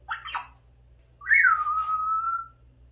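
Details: Eight-month-old pet grey parrot indoors, babbling and sometimes saying a few words. Two brief scratchy notes, then a loud clear whistle that rises sharply, falls, and holds level for about a second. A faint background hum.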